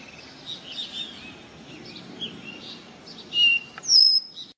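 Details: Soft twittering of several birds, then a caboclinho seedeater's pure whistled notes near the end, the last one higher, in the 'ré mi' song style.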